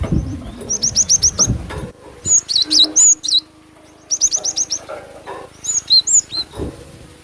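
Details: Javan sparrow sounds used as a lure to attract birds: bursts of quick high chirps in runs of five or six, mixed with sharp twisting whistled notes, separated by short pauses, with low rustling noise underneath.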